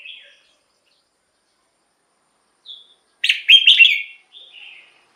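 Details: Red-whiskered bulbul song played to lure wild birds or excite caged birds: soft isolated whistles, then one loud bubbling phrase of quick rich notes, followed by a quieter trailing warble.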